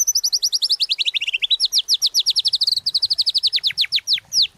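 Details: White-rumped shama in full song, used as a lure to get other shamas singing: a long continuous stream of rapid, high, downward-sweeping whistled notes, several per second, with brief trilled passages.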